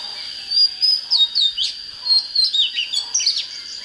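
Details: Oriental magpie-robin singing strongly, fired up for fighting wild decoy birds; sharp whistled slurs and quick downward flicks in bursts about three per second, over a constant faint high-pitched hum.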